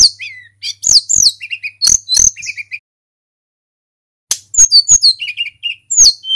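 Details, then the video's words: Sunda robin song from a local bird, used as a master to excite other songbirds: high swooping whistles, clicks and short repeated lower phrases in two bursts split by a silent gap. "SUARA TLEDEKAN GUNUNG FULL GACOR"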